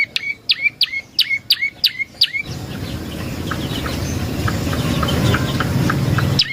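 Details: Prenjak lumut prinia used as a lure for wild birds to answer. Rapid string of downslurred, hooked chirps for two seconds, followed by loud broad noise with faint distant chirps underneath.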